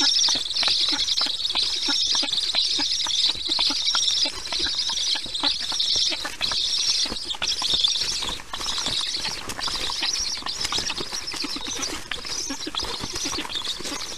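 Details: Storklets of the black stork at a nest camera as a parent delivers food, 1:39 p.m. EEST, 22 July 2019; steady run of harsh, breathy bursts repeated roughly once a second, with constant clicking and rustling.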